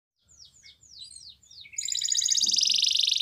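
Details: Spanish Timbrado canary singing: a few descending slurred notes, then a dense metallic trill building loud and fast at high pitch.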